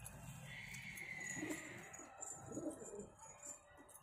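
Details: Pigeons of a pair give two clear bursts of low, burbling coos, while a thin whistled tone and some rustling and background noise run underneath.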